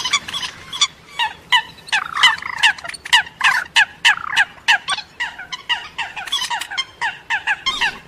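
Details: Mixed coot and moorhen calling, a fast run of loud, harsh clucks with falling inflections repeated about three times a second, several birds overlapping.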